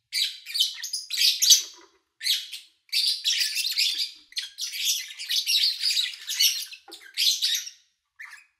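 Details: Dense, harsh chattering of lovebirds in long scratchy runs broken by brief gaps, captured in August 2019 with the owner out of town and little human noise.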